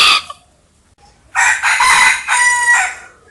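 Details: Rooster crowing as an early-morning wake-up: a short opening note, a pause, then a loud harsh cock-a-doodle-doo of two bursts over about two seconds, ending in a drawn-out clear tone.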